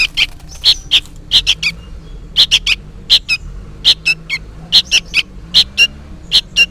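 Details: Juvenile sooty-headed bulbul calling noisily and persistently, as if for its parent: sharp, harsh chirps given singly or in quick pairs and triplets, about twenty notes in under seven seconds, with a faint low background hum.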